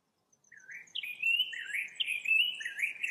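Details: Common bulbul giving expressive 'talk', a continuous run of warbled, wavering notes that slide up and down, starting after a brief silence and growing louder toward the end, with no other sounds.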